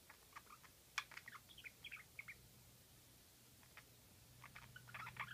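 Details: Pet budgerigar indoors giving its soft, cute squeaky call, made only while stretching its wings: faint scattered chirps and short warbled notes, quieter mid-clip, over a low steady hum.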